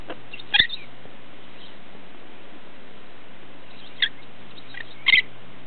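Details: A female pet monk (quaker) parakeet playing under bed covers indoors gives three short, harsh squawks a few seconds apart, over soft rustling and a steady low hum.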